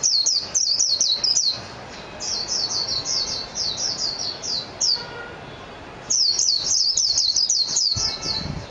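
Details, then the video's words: Song of the Japanese white-eye (mejiro): loud, rapid high twittering phrases of slurred descending notes, a long run, a pause near six seconds, then another energetic burst. "تغريد طائر ابيض العين الياباني ميجيرو"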